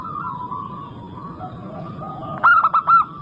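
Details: Local zebra dove singing as a lure to prompt wild doves: gentle continuous cooing for two seconds, then a loud final burst of four stuttering, bell-like notes.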